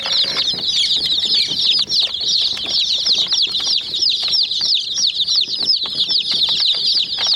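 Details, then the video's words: A group of chicken chicks pecking at a white toy jeep, chirping incessantly in thin, downward-sweeping peeps, accompanied by rapid irregular clicks, about three taps a second. "Murgi Chicks Chirping Sounds"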